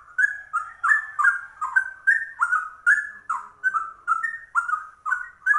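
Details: A rare trucuk, the yellow-vented bulbul, in cucak rowo-style ropel song: a steady stream of mellow, liquid whistles that rise and dip, repeated roughly three times a second, clean and loud throughout.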